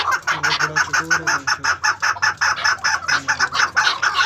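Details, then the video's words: A female Maskati chukar partridge gives a steady run of harsh, clucking chuck notes, about four each second, over a faint low hum. "Maskati Chakor Female awaz"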